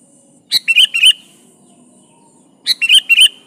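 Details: Sooty-headed bulbul in gacor song aimed at a rival: two bursts of quick, liquid chirped notes, each opening with a sharp note, over a low steady hum.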